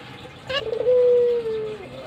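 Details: Single long, steady coo from a pet albino Barbary dove bobbing its head, preceded by a brief burst of broadband noise.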